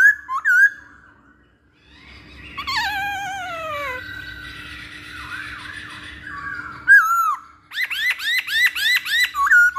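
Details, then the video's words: Masked laughingthrush in a lure or training recording: a few whistles, a long downward-sliding slurred call, soft warbling, then a fast series of arching whistled notes. "Pancingan Poksay Hongkong"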